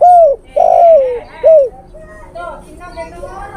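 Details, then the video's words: Male spotted dove calling to a female, used as a bird-luring call: three loud, low hoarse coos, each falling in pitch, the middle one longest, followed by fainter coo-like notes. "SUARA PIKAT TEKUKUR JANTAN memanggil betina"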